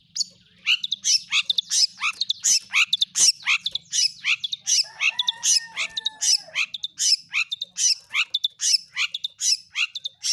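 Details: Long-tailed shrike song used as a lure to make other shrikes sing: a dense, rapid run of sharp high chirps and harsh squawks, about 78 notes per minute, with mimicked notes woven in and a faint low hum beneath.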